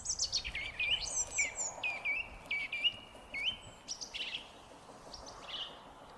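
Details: Foggy-day song thrush song: a rapid run of varied whistled and chirping notes, some sliding downward, packed tightly at first and then thinning out to scattered fainter phrases.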